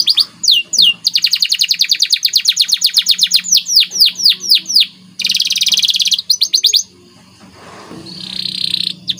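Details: White canary singing vigorously in a masteran training song with special phrasing: fast high trills of repeated rising-falling notes, sweeping whistles and a buzzy rattle, ending in a softer buzzy phrase.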